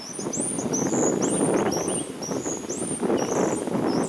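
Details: Common starling giving thin, high whistles that slide up and down in short strokes, several per second, over a steady low rumble of wind or distant traffic.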